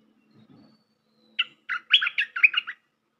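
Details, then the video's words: Bulbul calling as a trapping lure, a fast run of bubbly chirping notes rising and falling, with a faint low hum before it begins. "Suara pikat merbah lekir"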